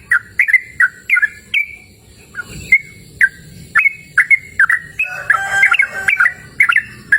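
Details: Sooty-headed bulbul recorded in cool open natural surroundings, giving bubbly whistled phrases of two to three notes repeated about every half second, then a denser jumble of overlapping notes near the end.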